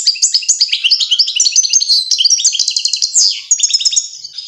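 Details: Goldfinch song accompanying fledglings as they learn to eat: lively, jangling high-pitched chatter of quick repeated notes and rattling trills, ending in a falling wheezy note and more twitter.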